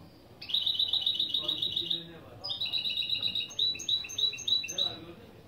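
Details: Opening phrases of a goldfinch × canary mule, recorded as a lesson: a quick high rattling trill, a short break, then a second trill that slows into separate, descending whistled notes repeated about three times a second.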